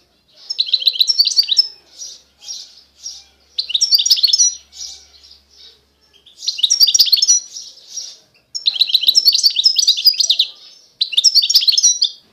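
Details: European goldfinch of the Constantine type from eastern Algeria singing: bursts of rapid tinkling, twittering notes high in pitch, phrases of one to two seconds separated by short pauses, clean background.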